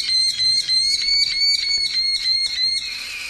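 A Merlin gives a fast series of sharp, high, slightly harsh notes, about three a second, steady in pitch, with no other sounds intruding.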